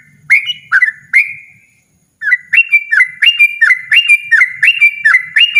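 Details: Yellow-vented bulbul giving a loud, insistent ropel song: three bubbly whistled phrases, a brief silence, then a rapid unbroken run of about ten more clear, chirpy phrases.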